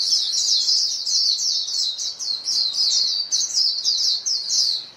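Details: Calling white-eye flock, birds answering one another in a continuous, high, lisping chatter of quick chirps that fades slightly at the end.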